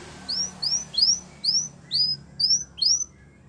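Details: Belgian canary singing a training song for young canaries: a slow series of seven clear upslurred whistled notes, about two per second, high and thin, with a faint low hum beneath.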